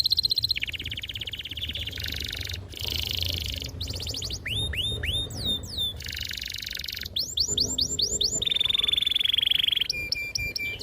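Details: Canary in full, clear song played to prompt young canaries to learn and answer: buzzy rolled trills, a run of swooping upslurred whistles, then a long level whistle and metallic chipping notes.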